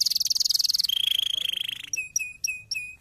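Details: Canary singing to stimulate quiet canaries into song, with a bright rapid high trill dropping to a lower rolling trill, followed by several spaced whistled notes that dip and level off.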